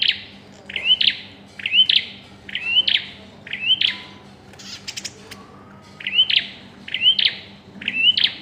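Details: Pairing-stage bar-winged prinia producing a series of upswept whistled notes with buzzy endings, about one per second. A brief gap with a dry rattle comes midway, over a low electrical hum.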